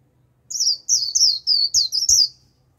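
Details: Japanese white-eye used as a lure bird to attract a wild flock: a run of six loud, high, descending whistled notes in quick succession, each sliding downward, with faint low thumps beneath.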